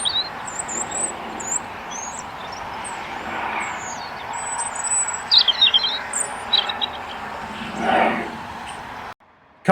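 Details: A small flock of juvenile common starlings, seen on a wire at Elmley Nature Reserve, Kent, on the morning of 12 October, makes a busy, irregular chatter of high chirps, squeaky whistles and clicks over background hiss, with a faint voice nearby.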